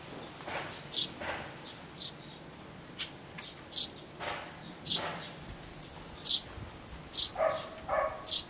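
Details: Sparrow nestlings near fledging in a birdhouse, 12 May 2012: a steady series of high, sharp chirps every second or so, with lower, harsher chattering notes near the end.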